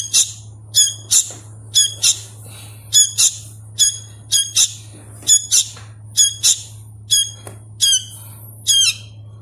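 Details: Young sooty-headed bulbul, a hand-fed chick still learning its calls, gives harsh, buzzy squawks in short bursts of two or three, repeated roughly every second, with a steady low hum behind.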